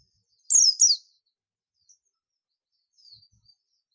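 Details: Oriental white-eye of the buxtoni form, in the call style known locally as ngalas, summoning companions: two sharp, high, downslurred chirps in quick succession, then faint scattered ticks and a last clipped note.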